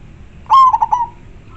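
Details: Lure bird, a local zebra dove with a strong, clear voice, gives one phrase: a bold sustained note that breaks into three short descending rolled notes fading away.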